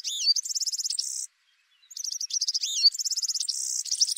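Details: Male Atlantic canary repeating a phrase: a swooping whistle, a quick high rolling trill and a buzzy ending, a short pause, then the same sequence again.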